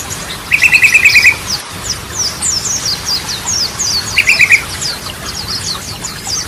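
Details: Yellow-vented bulbul (trucukan) in lively song, used as a lure for birds that have stopped singing. Two tight, rattling trills about three seconds apart, against a steady wash of sharp high chirps.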